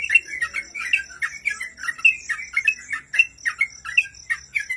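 Sooty-headed Bulbul giving bright, bubbly chirped phrases, repeated about twice a second, over a faint steady high hiss.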